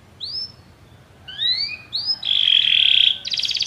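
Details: Canaries singing together after music: a few soft rising whistles, then a loud sustained buzzy trill ending in a rapid pulsed rattle.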